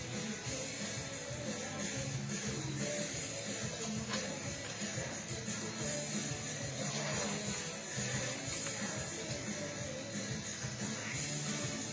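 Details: Continuous music with a steady wash of broadband background noise, and no animal calls heard.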